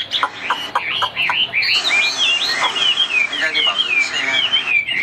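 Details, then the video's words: A white-winged, white-tailed Chinese hwamei kept in a cage sings loudly: short sharp notes, then a flowing chain of looping whistled phrases, each curving up and down, with a faint hum beneath. "Cánh trắng đuôi trắng ôm cóng - Hót cao cầu l Hoạt Họa Mi"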